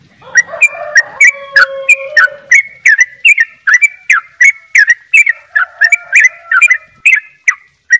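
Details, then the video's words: Vigorous 'dobel ropel' singing from a Bali yellow-vented bulbul: rapid, sharply clicked chirps, some sliding downward, repeated about three per second, with lower steady whistled tones behind in the first seconds. "trycuk bali dobel ropell gacor"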